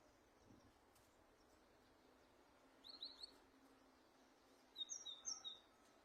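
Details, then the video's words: Finch singing soft, high twittering notes in two brief bursts, the second a quick run of four or five chirps, over a quiet background. "أجمل تغريد طائر الحداد"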